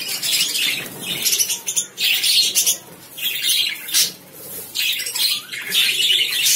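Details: Lovebirds chattering in dense, shrill, high-pitched chirps and harsh squeaks. The calls overlap in loud bursts that swell and fade every second or so, with no other clear sounds.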